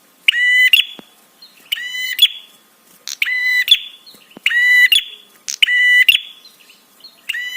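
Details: Prenjak (prinia) call used to provoke other birds into answering: harsh buzzy notes stacked with bright harmonics, given in bursts of about half a second, roughly one burst every 1.3 seconds, against a quiet background.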